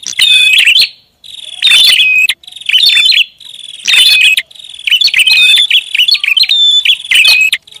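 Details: Chattering prinia lure call, a series of energetic chirp bursts and high whistles that run almost continuously, with brief gaps between phrases.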